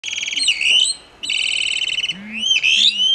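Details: A Plumbeous Rail calling at full volume gives loud, shrill squeals: buzzy trilled stretches broken by rising and falling whistled slurs, over a faint low hum.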